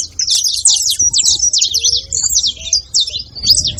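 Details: Several saffron finches making noise together: dense, rapid high twittering and chirped notes run without pause, with a few soft low slurred whistles underneath and faint low background rumble.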